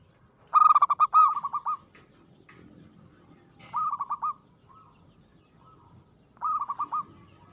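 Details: Aggressive local zebra dove song: one loud phrase of quick rippling coos followed by two softer, shorter trilled phrases spaced about three seconds apart, with faint background hum.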